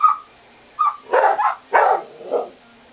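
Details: A female pet parrot gives two short whistled notes, then three harsh, husky barks about half a second apart, a fair copy of a small toy dog's bark.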